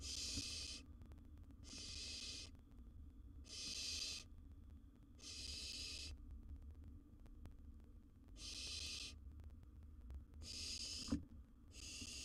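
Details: Owlet of a wild barn owl in its nest box, holding a massive gerbil, producing seven rasping, snore-like hisses in an uneven rhythm, roughly one every two seconds, with a faint click near the end.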